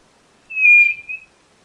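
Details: One level whistle from a white-bellied nothura, lasting under a second and fading out with two quick, softer pulses at its end.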